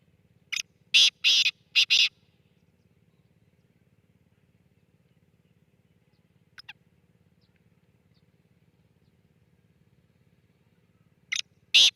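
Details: Black francolin calling: a quick run of four harsh, grating notes, then a long quiet stretch with a faint short note near the middle, and two more rasping notes at the end; faint low hum underneath.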